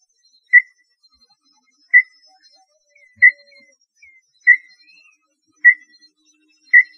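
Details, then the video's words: Small-billed tinamou, a bird of the Brazilian cerrado, north and northeast, giving short clear whistled notes spaced roughly every 1.2 seconds in an otherwise quiet setting. "Canto Da Lambu Pé Roxo"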